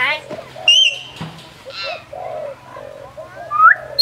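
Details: ['Hill myna in Phnom Tamao Zoo, Cambodia, able to imitate speech, gives a short bright whistle and a rising squeaky note amid low muttered, voice-like sounds. A faint steady hum runs underneath.']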